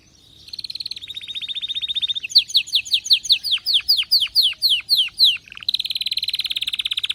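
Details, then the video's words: An excited canary sings a buzzy rapid trill, then a string of loud descending whistles at roughly three per second. It closes with another long, dense, high trill. "غناء كناري هايج ومولللع"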